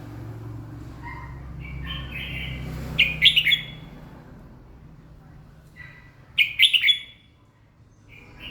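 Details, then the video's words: Red-whiskered bulbul singing in the morning: two short, bright, warbling phrases about three seconds apart, with faint chirps between them and a low background hum in the first seconds. "chào mào hót buổi sáng"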